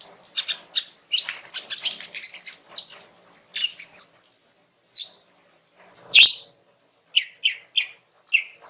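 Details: Relaxed song of a female greater green leafbird, sung to draw a reply from a young male: a dense twittering burst, then spaced whistles, one loud sharp upslurred note, and a closing series of four clear downslurred whistles.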